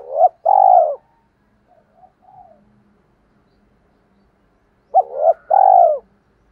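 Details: Decoy spotted dove call for luring wild doves: a double note and long coo, then low soft muttering and a long gap before the same two-part phrase repeats.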